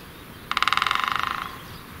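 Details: Great spotted woodpecker drumming on a tree with machine-gun-like pecks. A single fast roll of about twenty sharp strikes lasting one second, loudest at the start and fading away, over quiet background.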